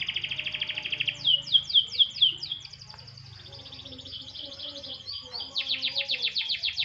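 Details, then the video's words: Canary briefly sunbathed, starting with a buzzy trill, then loud sharply descending notes, a quieter stretch of soft high twittering, and a final burst of rapid repeated chirps. "burung kenari jemur tipis tipis"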